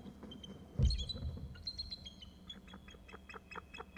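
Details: Bald eagle calling before landing, picked up by a camera: a loud thump, then a run of faint, high, thin piping notes repeated rapidly over the following seconds, with a low background rumble.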